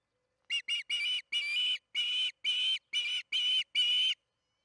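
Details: Osprey calling at the Charlo nest during evening feeding, June 21, 2019, 8:15 pm MDT, nest camera. Two quick chirps open a run of about nine shrill whistles, the later ones drawn out and evenly spaced.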